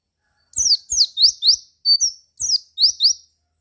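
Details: White-eye singing as a lure to prompt other white-eyes to answer: about eight sharp, high, slurred chirps in a fairly steady series. The notes alternate between falling and rising sweeps, with a brief pause midway. No other sound.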